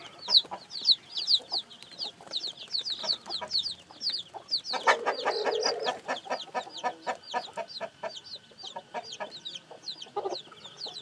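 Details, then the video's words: Newly hatched chicks keep up a busy chorus of high, falling peeps; midway a louder, lower, rough call stands out over the chirping, then the thin peeps continue. "Âm thanh gà con mới nở kêu, gà kêu, gà gáy"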